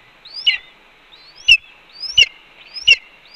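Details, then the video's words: Red-tailed hawk at its Cornell nest, 4 May 2013 at 1:29 PM, calling while its mate calmly eats a pigeon; four loud calls, each a thin rising whistle snapping into a piercing squeal with a click-like burst. "Cornell RTH_Ez Brings 2 Voles, Eats Pigeon Calmly While BR Vocalizes"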